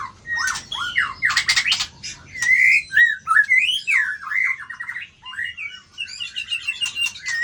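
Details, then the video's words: Competing white-rumped shama pours out a loud, varied song: harsh rattling bursts, then fluid looping whistles that rise and fall, ending in fast chattering notes over a quiet background. "Murai Badheuk Ekor 24 Gas"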